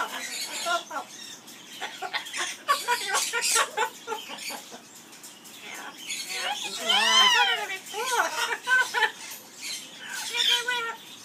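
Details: Amazon parrot at an aviary giving its skimmeradinkadinkadink song: clicky, choppy syllables leading into a loud, rich, arched warble near the middle, then shorter nasal notes and a held tone at the end.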